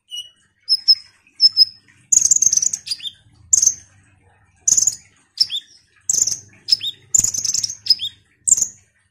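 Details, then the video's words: Actively singing ruby-cheeked sunbird serving as a lure for other sunbirds: a few soft thin whistles, then a dense run of shrill chirps and falling whistle notes, with a faint low hum. "Pancingan KONIN GACOR INI DIJAMIN bikin KOLIBRI NINJA lain EMOSI Rajin Bunyi"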